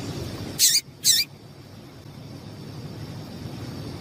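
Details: Female Double-collared Seedeater calling to stimulate males before song tournaments: a quick pair of brief, harsh, high notes half a second apart, then quiet background hiss.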